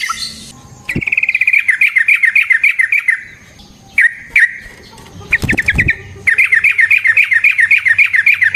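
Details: Yellow-vented bulbul singing a lively song, meant as a lure to make other bulbuls sing and respond: long rapid runs of bubbly, repeated chattering notes, broken by short pauses and a few sharp clicks.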